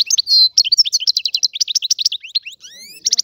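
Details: Lively twittering song of a free European goldfinch, Algerian type: a held nasal note, then quick alternating chirps and buzzy stutters, ending with several thin rising whistled slurs and a fresh burst of chatter.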